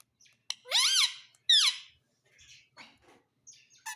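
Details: Pet parrot talking: two loud, harmonic, whistled calls that rise and then fall, each under half a second, followed by fainter, scattered chatter and squeaks.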